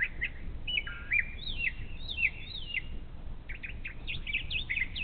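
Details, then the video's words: Brown thrasher singing in the morning near a Bald Eagle nest along the Little Miami River, Ohio; a string of varied, clear whistled phrases, some sliding and some buzzy, with a steady low rumble of background noise. "This Morning's Beautiful Brown Thrasher Serenade!"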